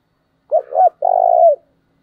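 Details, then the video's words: Cooing of a wild dove played as a decoy to excite other birds: two short looping notes, then a longer, even, buzzy hoot that falls slightly at its close. "Tiếng cu rừng gáy kích bổi hiệu quả"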